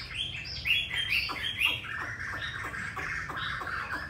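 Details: Quieter passage from a caged Hwamei in Hanoi, Vietnam, singing wild-style: sharp high chirps about twice a second, then a steady, rolling mid-pitched warble.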